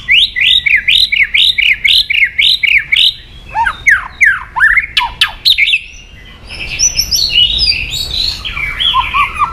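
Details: Song of a white-rumped shama played to stir up another bird's emotions. A rapid series of rising chirps about four per second leads into sweeping downslurred whistles, then buzzy warbling and lower falling notes.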